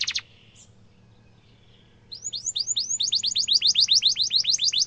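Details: Canary song for training young canaries: a short burst of notes, a quiet gap, then a quickening run of upward-hooked chirps repeated about four times per second.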